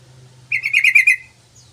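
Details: Lively yellow-vented bulbul phrase, used for luring and tutoring: a rolling string of six or seven fast, liquid, warbled notes, loud and clear over a steady low hum.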